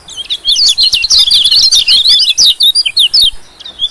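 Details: High, rapid twittering of a white-eye used as a lure for small birds, a continuous stream of sharp up-and-down chirps filling the whole stretch.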